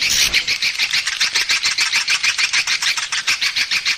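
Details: Swiftlet lure call for drawing swiftlets in. Rapid chirping twitters pulse about three times per second in an even, throbbing rhythm, bright and buzzy, over a faint background hiss.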